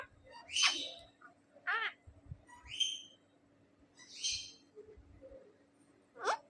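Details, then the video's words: Pet talking rose-ringed parakeet (ringneck) says "MashaAllah" in shrill, raspy bursts, with sharp whistled notes at about one-second gaps. "MashaAllah - Sonu (talking ringneck)"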